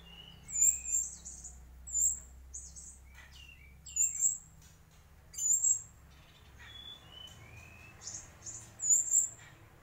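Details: Mangrove whistler phrases recur about every two seconds: short whistled notes paired with very high sharp chips and brief trills in a quiet setting with a faint low hum.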